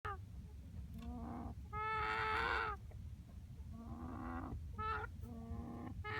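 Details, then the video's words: A young rooster (cockerel), which the owner says makes this noise even after dark for unknown reasons, gives a string of harsh, wavering calls with one long, strained crow-like note in the middle, over a steady low hum. "Chicken making strange noise"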